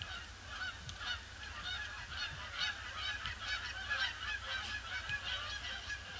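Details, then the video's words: Many Canada geese arriving at a pond on a grey Boxing Day, circling before landing; dense chorus of overlapping nasal honks, about two per second, over low rumbling background noise. "Huge influx of Canada Geese"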